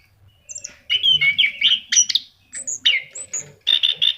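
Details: Gacor song of an orange-headed thrush, known locally as anis kembang: dense bursts of warbling and squeaky notes, a few thin high whistles between them, broken by brief pauses.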